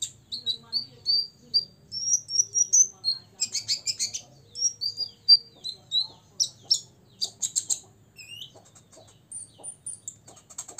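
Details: Olive-backed sunbird aged six, singing to stir up rivals: a series of rising thin whistles, then dense metallic chirp bursts and a final falling note.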